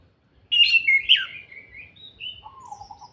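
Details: Orange-headed thrush giving its kretekan call, used to provoke other birds into singing: a loud, harsh, crackling burst, then thinner whistled notes sliding lower and fading, with a faint low rumble beneath.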